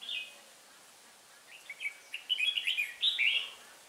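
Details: Red-whiskered bulbul decoy bird used to lure wild birds into a trap in Hoa Binh, Vietnam, on 18 December 2016; a brief note opens, then a rising string of quick chirpy warbled notes builds into a dense bright phrase.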